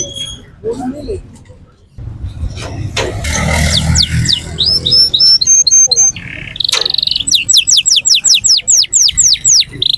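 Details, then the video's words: Canary singing at the Quetta Sunday Bird Market, opening with mixed noise and murmuring, then bright rapid rolling trills, high whistled sweeps and fast repeated descending notes in the second half. "Singing canary at the Quetta Sunday Bird Market/full start canary"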